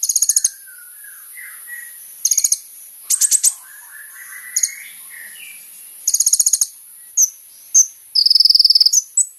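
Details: Kolibri ninja sunbird used as a lure for other sunbirds: short bursts of very high, rapid ticking notes alternate with softer, lower warbling and chirps, then single sharp chips and a fast, high trill near the end.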